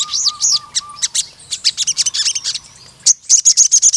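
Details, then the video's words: Crimson sunbird singing vigorously in long bursts: a rapid, very high, sharp twittering with irregular pauses. A lower whistled note is repeated at the start, and a fast, regular high trill comes at the end. "BURUNG SOGON MANAPUN CEPAT GACOR DAN NEMBAK PANJANG"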